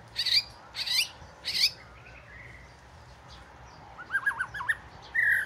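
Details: Oriental magpie-robin, southern form, the first at the house, sings three harsh, bright notes, then soft whistles and a wavering, warbled phrase of looping tones near the end.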